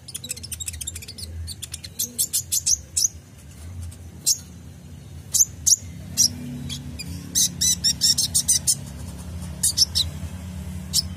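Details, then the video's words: Kolibri ninja sunbird in a full, varied song meant to teach caged songbirds: long stretches of rapid, very high twittering and sharp chip notes in uneven bursts, with a low background hum throughout. "PANCINGAN KOLIBRI NINJA (Konin) FULL ISIAN tembakan mantap"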